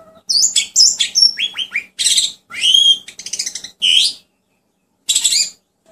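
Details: Asian pied starling song used to get quiet pet birds singing: quick descending whistles and chattering notes, then harsh buzzy bursts, ending with one isolated scratchy phrase after a pause, over a low hum.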